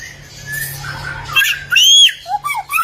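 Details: Golden samyong (bare-throated whistler), an Indonesian songbird from the Lake Kelimutu area of Flores, sings a quick run of clear, slurred whistles, some rising and some falling, over a low steady hum.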